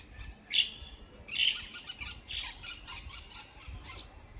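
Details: Small birds calling in the morning: two sharp, bright chirps, then a fast scatter of thin, high twittering notes over a soft background hiss.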